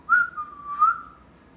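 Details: Whistling pet parrot indoors: one clear tonal whistle lasting about a second, starting with a bright rise, dipping slightly and swelling again before fading, in a quiet room.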